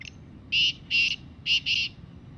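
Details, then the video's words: Jungle-dwelling wild black francolin utters four loud grating, buzzy notes after a short quiet lead-in, the final two nearly joined, set against a soft steady low background. "Desi Kala Teetar Bolty hue Kala Teetar ki Awaz Teetar ki Voice"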